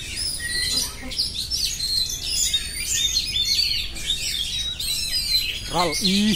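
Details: Oriental magpie-robin pouring out song, rapid high whistles and scratchy chirps in a busy stream, with a loud lower swooping note series near the end.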